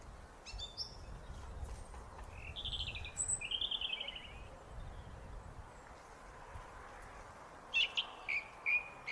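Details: Song thrush on a foggy day near bird feeders, giving short, bright phrases of whistles and buzzy trills, some notes repeated three or four times in quick succession, over a steady low rumble.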